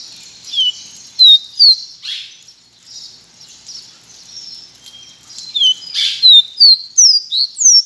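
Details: Pileated finch (Sporophila pileata), called caboclinho branco, sings loud, piercing downslurred whistles in two rapid runs separated by a quieter stretch of background twittering and hiss.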